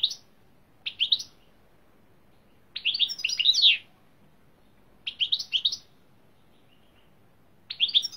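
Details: European greenfinch song in a Turkish song-training recording: clear high twittering phrases in bursts, one longer trilled run in the middle, with silent gaps between phrases.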